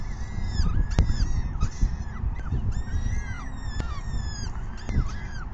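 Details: Peregrine falcon chicks at their 6 PM evening feeding on 14 May 2021 give a chorus of high, whining, descending begging cries, with sharp knocking clicks and a constant deep rumbling background.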